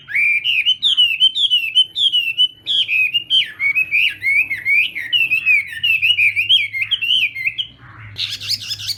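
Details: Chinese hwamei singing at morning voice practice in a competitive style: a long, loud, unbroken stream of rich, rolling whistled phrases with quick slurs up and down, ending with a brief harsh rustle and low hum.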